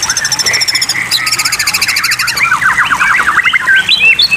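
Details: White-rumped shama song from a water-therapy track aimed at stimulating birds to sing: a fast high buzzy trill at first, then a long series of jumpy, rapidly repeated whistled notes climbing and falling.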